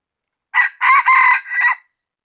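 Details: Rooster giving one full cock-a-doodle-doo, date given as 16/1/2020: clipped opening note, long harsh held middle section, then a trailing end syllable, very loud and clean with no background noise.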